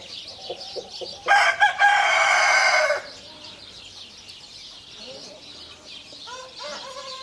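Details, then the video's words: A farm-kept giant Brahma rooster gives a loud, raspy crow of nearly two seconds with a stutter near its start. Quieter clucks and short calls from other fowl come before and after it, with faint birdsong behind. "Giant Brahma Rooster"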